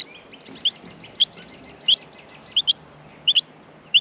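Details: Baby Australian miners in the nest being fed make quick paired high chirps with slurred, squeaky notes, loud clusters coming about every half to three-quarter second.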